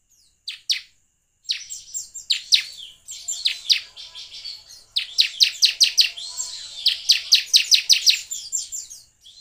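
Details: Bar-winged prinia song used as a lure to coax other prinias into singing: bursts of sharp, high, clipped notes in quick rapid-fire series, with short pauses between phrases.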